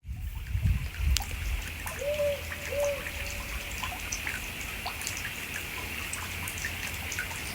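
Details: A Powerful Owl in the Southern Highlands of NSW gives two slow, deep, even hoots about three-quarters of a second apart, over steady trickling water and background hiss.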